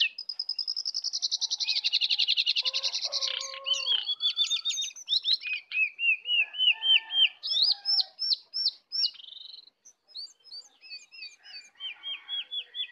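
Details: Wild sooty-headed bulbul contesting a caged one in a fierce full isian song duel. A long rapid rattle-like series opens, then varied looping whistles and repeated slurred notes follow in quick succession, loud and continuous.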